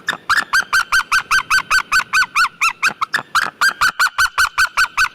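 A White-tailed eagle gives a long, quick series of yelping, slightly nasal notes, about four or five a second, steady in pitch with a brief break midway.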